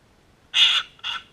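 A cockatoo gives two harsh, raspy screeches, the first longer and louder, the second shorter, against a quiet background.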